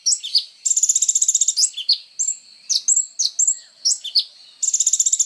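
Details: Sunbird known as kolibri ninja in full song, kept as training material for songbirds: buzzy rattling trills opening and closing the phrase, with shrill slurred chirps and short whistled notes in between.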